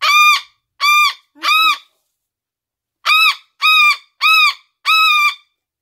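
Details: Pet umbrella cockatoo (Cacatua alba), adopted from a rescue, screams loudly and harshly: three half-second raspy blasts, a brief pause, then four more at a quick pace.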